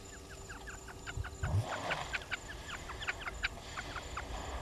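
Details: Spurfowls at Gowrie dam waterhole on Djuma Game Reserve, Sabi Sand, South Africa, filmed by a live camera: rapid harsh repeated clucking notes in a chattering series, with low thumping noise and a steady background hum.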